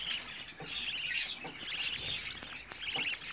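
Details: Budgerigar nestlings, the oldest at 24 days, give busy high-pitched chirps and short warbled trills in quick succession, layered over one another.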